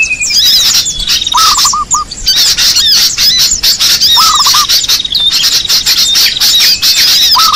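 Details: Small birds calling as a bird lure, a crowded mix of shrill chirps and twitters with three separate bursts of rapid lower, hooked notes and a brief thin whistle at the start.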